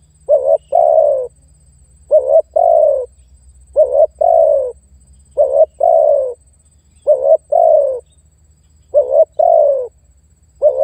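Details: Lure call of a spotted dove challenging a rival bird: a steady series of two-part mellow coos, brief then drawn-out and dropping, spaced about every one and a half seconds over quiet background.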